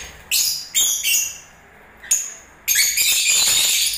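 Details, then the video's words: Lovebirds in breeding season giving bursts of high, harsh chirping and squeaky twitters, separated by short pauses, with a long buzzy chatter toward the end. "Love birds singing and movements"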